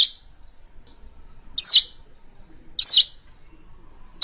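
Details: Hill prinia, original call used in trapping: a few separate loud notes, each a high downward slur ending in a buzz, spaced over a second apart in silence.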